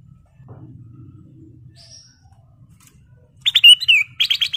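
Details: After a few seconds of near quiet with a low hum, a sooty-headed bulbul bursts into lure song meant to provoke other birds: loud chirps, a downslurred whistle, then a rapid run of repeated notes.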